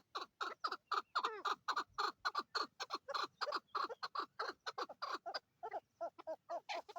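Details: Male and female chukar partridges in Swat, Pakistan, giving a rapid run of harsh, clucking notes, about three or four per second, uneven in timing and slightly accelerating, with rich layered overtones and a softer stretch near the end.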